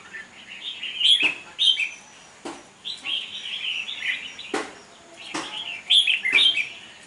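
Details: Red-whiskered bulbul in a contest cage sings loud, bright warbles and whistles in bursts, mixed with several sharp clicking knocks.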